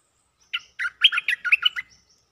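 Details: Cream-vented bulbul calling for a mate: a quick, bubbling burst of about eight rich, warbled notes. The notes are fast, varied and slightly slurred, delivered in under a second and a half against a silent background.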